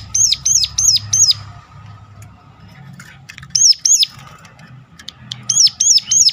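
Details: Sharp ciblek gunung call, used as bait to get other Sunda warblers singing: short bursts of four or five high, arched chirps, then pauses with soft clicks and a low background hum.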